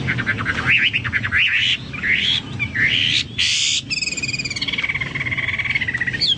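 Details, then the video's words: Chinese hwamei song, likened to a Papuan or golden bulbul: harsh rising slurs and a loud buzzy note, then a long rapid trill, over steady background noise. "burung hoa mi seperti cucak Papua atau cucak mas gacor"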